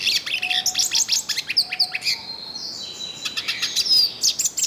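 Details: Wild yellow-faced siskin in full song, pouring out quick high chirps and twitters, then a drawn-out buzzy wheeze and sharp whistled slurs; a soft low whistle from another bird sounds in the background.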